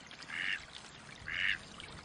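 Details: Two drawn-out, buzzy quacks from a wild Mallard about a second apart, heard over constant rushing water-like noise.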